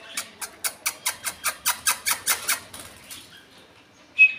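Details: Parrot from a colony of ringneck parrots and budgies: a rapid run of about thirteen harsh, scratchy calls, some five per second, fading away, then a short clear whistle at the end.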